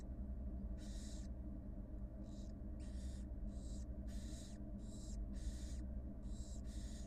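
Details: Rapid sequence of rasping, breathy hisses, around ten in seven seconds and some nearly overlapping, from a wild barn owl nest where the mother feeds her two newly hatched nestlings; steady low hum underneath.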